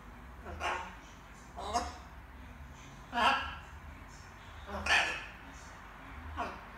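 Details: Pet macaw, young, trying out words in the evening: breathy, speech-like utterances about once every one to two seconds, some louder and fuller than others, with a faint room hum behind.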